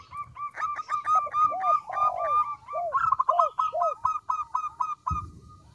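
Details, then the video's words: Local zebra dove in lively voice, with a small, soft song used for luring birds: quick series of nasal, harmonic notes repeated several times a second, mixed with lower arched coos, ending with a brief thump. "PERKUTUT LOKAL GACOR suara kecil"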